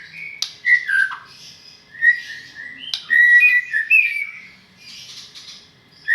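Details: White-rumped shama in Medan delivering varied whistled phrases, pure sliding notes broken by sharp ticks, a pause, then a brighter run of overlapping whistles ending in softer chatter.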